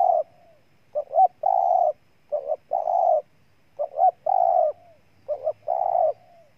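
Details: Cooing spotted dove recorded in Ninh Thuận, Vietnam: four repeated phrases, each two clipped notes leading into a sustained, rough coo that fades off with a soft tail. Background otherwise quiet.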